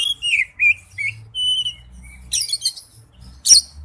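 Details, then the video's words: Brief snatch of Oriental magpie-robin wild-type song: several clear downslurred whistles and a long level whistle, then a harsh chattering burst and a sharp loud note, with low background hum. "Chim chích chòe than hót giọng rừng"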